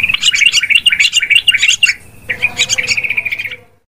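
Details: Yellow-vented bulbul sound used to lure birds into traps: a quick run of bubbly, chirping notes, a short pause, then another fast chattering series that fades out.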